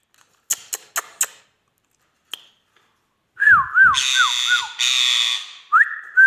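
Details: Pet Indian ringneck parakeet indoors, giving a few sharp clicks, then a run of looping wavy whistles repeated about every half second amid harsh broadband bursts, ending with a rising whistle.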